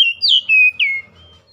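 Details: Oriental magpie-robin song played to revive a stressed bird that has gone silent: three loud, clear whistled phrases, the second slurring downward, the last a falling slide, then quiet.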